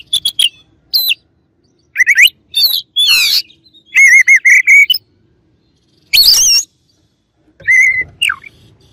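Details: Oriental magpie-robin as a rival singer: varied loud phrases of rising whistles, a buzzy burst, and runs of steady harmonic notes, with short gaps between phrases.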